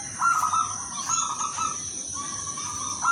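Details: Silver zebra dove cooing melodiously for luring and relaxation: smooth, level low coos in two long stretches separated by a short pause, accompanied by a persistent high-pitched hiss.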